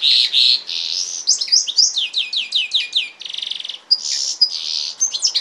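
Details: Cross of goldfinch and canary singing a dense phrase of bright twitters, a series of repeated downslurred chirps, a harsh rattling buzz, then more high warbled notes.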